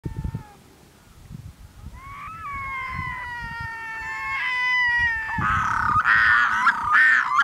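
A Red-throated Loon gives drawn-out, nasal wailing notes that rise and hold, then breaks into louder, harsher cat-like cries; soft water noise underneath.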